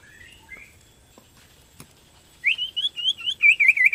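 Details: Borneo white-rumped shama in lively song meant to prompt other shamas to sing; after a quiet start with a few soft whistles, a loud run of high warbled, rising-and-falling notes begins halfway and continues to the end.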